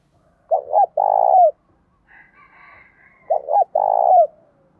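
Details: Spotted dove calling in the thổ pha and hạp bổi voice styles: two phrases, each a short double note followed by a long, trembling, buzzy coo that slurs downward. Faint chirping from other birds fills the gap between them.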